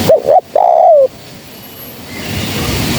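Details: Spotted dove, described as a female, calling as a lure for bird trapping: three clear, mellow cooing notes in quick succession, the last one longer and gently falling, followed by quiet background hiss.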